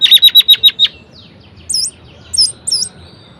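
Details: Orange-headed thrush, a cage bird, singing to rouse lazy birds: a rapid run of about seven sharp repeated chips, then three separate high looping whistles after a pause.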